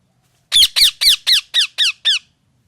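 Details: Loud parrot calling seven sharp, strident squawks in a row, each note dropping in pitch, evenly spaced in near silence.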